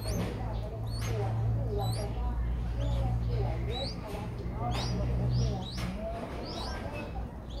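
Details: Streak-eared bulbul nestlings, five days old, in Ubon Ratchathani, Thailand, on 7 April 2023: high, rising squeaky notes come in scattered runs throughout, over a steady low hum.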